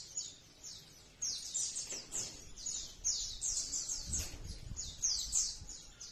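A Crimson sunbird's very high, thin song of quick sweeping notes, about three a second, over faint low rumbling background noise.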